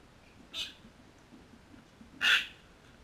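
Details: Crimson rosella at a backyard feeder in Canberra, Australia, filmed on a GoPro: two brief, harsh, bright calls about a second and a half apart, the second louder and fuller, against a quiet background.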